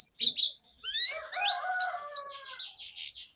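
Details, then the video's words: Canary used as a singing lure for young birds, delivering a dense, busy phrase of rising whistles, layered slurred notes and rapid high chirps without pause. "PANCINGAN Kenari GACOR PANJANG Cuit CUIT Ini Ampuh Untuk MASTERAN PAUD Kenari Belajar BUNYI"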